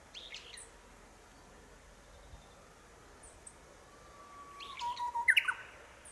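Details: Japanese bush warbler singing near houses in Minami-Boso, Chiba, Japan, April 2018, returning again and again to the same branch; a long steady low whistle is followed by a short burst of louder, higher notes, with faint chirps of other birds behind.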